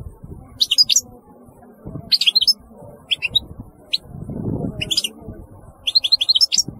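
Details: European goldfinch giving brief, high chirping phrases roughly every one and a half seconds, each a cluster of quick twittered notes, over a steady low rumbling background.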